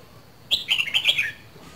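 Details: Red-whiskered bulbul from Dak Lak, a bird of two seasons, giving one short, loud warbled phrase of about five quick, slurred, whistled notes that dip and rise before ending on a falling note, with quiet before and after.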